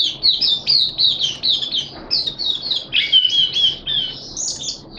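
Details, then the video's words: Oriental white-eye known locally as mata puteh, a Malaysian hobby bird in song display, February 2023: fast high chattering notes, then a clearer whistled, wavering phrase near the middle. "Malaysian Mata Puteh Happy Buka Sing"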